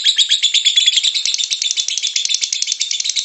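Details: Lovebird ngekek, a chatter used to provoke singing: rapid, slightly uneven bursts of shrill, raspy chirps packed closely together without pause.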